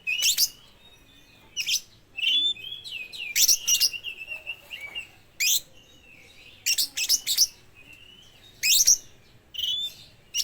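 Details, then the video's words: A speckled young oriental magpie-robin sings in full form, copying lovebird sounds, a bird kept to draw other magpie-robins into song; short clustered bursts of piercing, scratchy chirps every one to two seconds, linked by soft, falling whistles. "kacer trotol habis mambung nelan lovebird"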